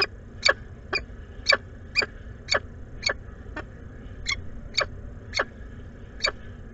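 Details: Peregrine falcon pair at the Anwil nest site in Włocławek, Poland, on 12 May 2022, shuffling food between them. Sharp, harsh notes repeat roughly once per second, a dozen in all, each a brief descending burst, over a low steady background hum.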